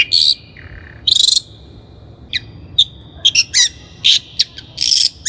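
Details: Long-tailed shrike song recorded as a training lure: harsh buzzy bursts and a low nasal note, scattered sharp chips, and short squeaky phrases separated by gaps.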